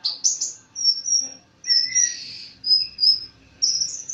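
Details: Konin dacok, or olive-backed sunbird, singing loudly: high sliding whistles, a buzzy mid-pitched phrase and quick upward chirps in short bursts separated by pauses, with light background noise.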